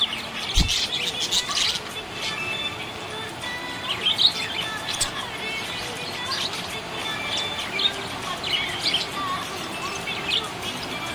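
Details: Happy budgerigar giving dense, busy chirping and warbling. Rapid scratchy notes overlap almost continuously, with a sharp low knock early on and faint steady tones behind.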